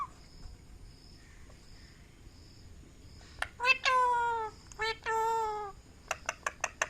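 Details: Parrot talking: after a few soft taps, two drawn-out, nasal, meow-like calls slide downward in pitch, each lasting about a second. A quick series of five sharp clicks follows in a quiet indoor setting.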